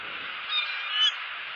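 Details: Bald eagle at a Southwest Florida nest (eagle cam), 8 December 2015, hungry; high, squeaky, strained begging calls, two louder pulses about half a second apart over a steady harsh hiss.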